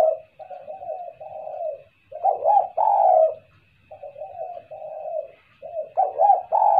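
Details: Repeated phrases of a spotted dove used as a lure, soft quavering coos leading into loud emphatic ones, the pattern heard twice over a faint hum.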